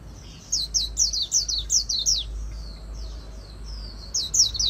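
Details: Oriental white-eye in fast 'líu' competition song for training and stimulation; a rhythmic run of loud high slurred chirps, softer twittering in between, then a fresh burst, with a faint low hum beneath.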